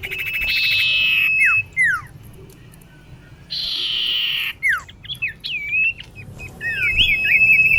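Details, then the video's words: Female common iora calls a male, played to attract birds: two harsh buzzy rasps, each followed by falling whistles, then wavering whistled notes and a level whistle at the end. "Kicau cipoh betina memanggil jantan"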